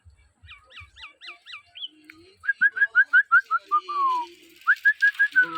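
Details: Common hill myna kept with its owner, answering as they talk together: a run of five short, rising, whistled notes, then a fast series of clear downslurred whistles with a longer falling note, and finally another quick whistled series.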